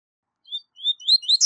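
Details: Double-collared seedeater, a high-level tui tui zel zel style song used for tutoring young birds: after a short pause, a series of clear, slurred whistled notes rising in pitch, each about a quarter-second, sped up toward the end.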